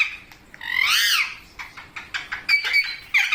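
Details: Parrot calling: a loud, harmonic, arching squawk that rises and falls, followed by a string of shorter clipped notes and a few bright whistled chirps near the end.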